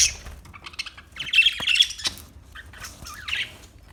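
Parakeet chatter: bursts of harsh, high squawks and quick chirps, with a louder scratchy run in the middle and short rising notes near the end.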